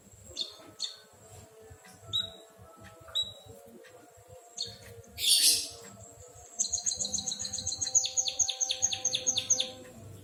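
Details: White-headed munia singing like a canary: scattered short high whistles, a harsh buzzy burst, then a fast rhythmic run of high chirping notes and downward-sweeping trills.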